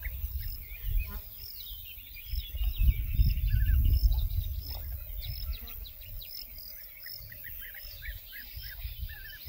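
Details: European bee-eaters at the Soča estuary nature reserve, Slovenia, on 14 June 2024, give short, rolling, liquid calls, several birds overlapping in a steady chatter, over heavy wind rumble.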